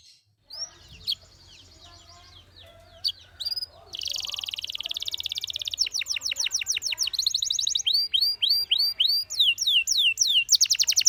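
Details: Canary song offered for training young singers: a few scattered chirps and thin descending notes at first, then from about four seconds a dense, fast run of high rolling trills and repeated downward-swept whistles that continues to the end.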